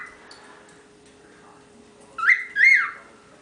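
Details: Pet cockatiel, youngest of a group of ten, gives two short bright whistled notes with a rising then falling shape after a stretch of quiet background hum and faint chatter.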